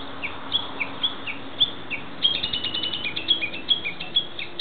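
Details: Japanese bush warbler in woodland of a nature park, giving a rapid series of short high chirps and tick notes, several per second, accelerating into a busy twittering run in the second half, with faint low hum beneath.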